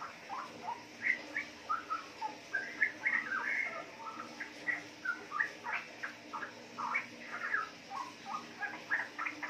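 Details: Young captive female straw-headed bulbul, four months old, from Yogyakarta, offspring of wild parents, chattering in the riwik style: quick irregular chirps and short slurred notes about every half second, with constant background hiss.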